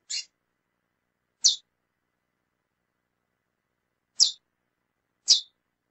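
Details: Female lesser seed finch calling a lot, giving four short, high, hissing chips at irregular gaps in an otherwise silent recording.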